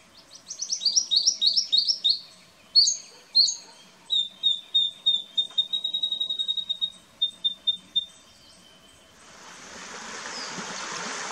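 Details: Eastern spinebill in an Australian backyard garden, filmed 14 April 2018, giving a rapid series of high, piping notes, then a long run of thin, even twitters that fade into hissing background noise.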